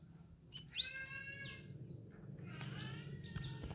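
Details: Caged sooty-headed bulbul on its fourth day of care, already answering other birds: a few clear, loud whistled notes with rising and falling slurs, then quieter scattered chirps over low background hum.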